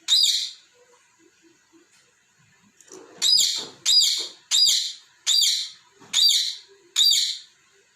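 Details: A pet talking parrot playing with its toy balls and scolding them for moving gives a run of harsh, high, scratchy chirps, about one every 0.7 seconds, after a single opening screech; faint knocks sound in the quiet gaps.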